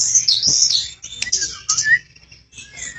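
A flycatcher sings a quick run of high, thin, twittering chirps, with a few lower sweeping whistles between bursts.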